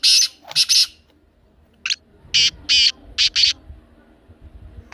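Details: Black francolin call played to make a pet francolin start calling: harsh, buzzy, grating bursts in quick groups of two or three, with short gaps between phrases and a quiet background.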